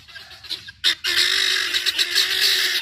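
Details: Guineafowl out on a stroll in Georgia give a brief harsh cry, then a loud grating, buzzy call that runs steadily for nearly two seconds.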